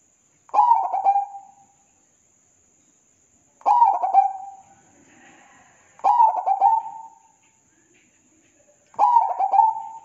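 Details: Zebra dove song recorded as a training master track: rich cooing phrases repeated about every three seconds, each starting with a sharp stuttered note and fading into a soft trilled coo. Steady faint high tone throughout.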